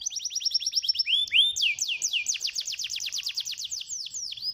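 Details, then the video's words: Canary lure song meant to coax silent canaries into singing. A quick trill, a single rising swoop, then a long, even run of fast downslurred notes. "IINI BARU PANCINGAN KENARI AMPUH"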